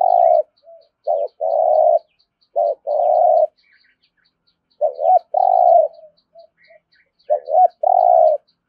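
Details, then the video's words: Spotted dove giving the rolling, resonant 'thổ rền' style of 'thúc gù' cooing: three deep phrases, each two short clipped notes then a long vibrating coo, roughly every three seconds, with soft murmured notes between. "Tiếng cu gáy thúc gù giọng thổ hay rền rền"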